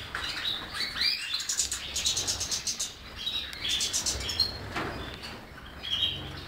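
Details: European goldfinch in lively song: a dense, rapid run of high tinkling twitters and buzzy trills that keeps going almost without a break, with a few brief pauses between phrases.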